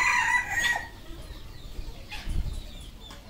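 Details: Red junglefowl on a farm in Cambodia: a short harmonic crow opens the recording, then fades into quieter background chatter and a few faint scattered notes.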